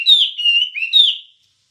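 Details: Wambie bird song, recorded as a master track for training songbirds: about one second of clear, whistled, slightly buzzy phrases that slide downward, two bright bursts joined by a steadier middle note, then silence.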